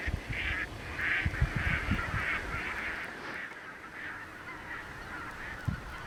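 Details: Large flock of Greater White-fronted Geese with a few Snow Geese among them, western Minnesota, early April. Faraway yelping calls repeat about three times a second, fading toward the end, with low wind noise and occasional thumps.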